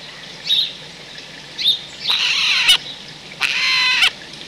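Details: Eurasian jay at a wild-bird feeding point in the countryside of central France on 17 December 2019, giving two brief high notes, then two long, harsh, rasping screeches of about half a second each, with quiet background hiss.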